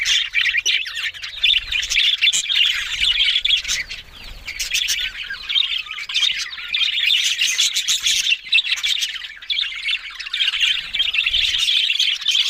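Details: Budgerigars keeping up a long, busy warble: quick high chirps, clicks and scratchy trills overlapping continuously, rising and falling in loudness in short bursts.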